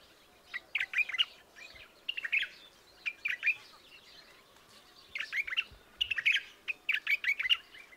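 A White-eared Bulbul sings short, bubbly, chirping phrases of a few quick notes, given in bursts about every second with brief pauses between.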